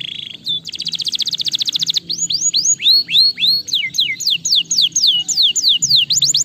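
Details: Canary song meant to stimulate lazy canaries: a fast rattling trill of rapid repeated notes, then a series of loud descending whistled sweeps about three to four per second.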